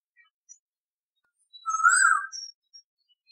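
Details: Asian Koel giving a single loud whistled note that swells and then falls away, lasting under a second, with a few faint high chirps from other birds around it.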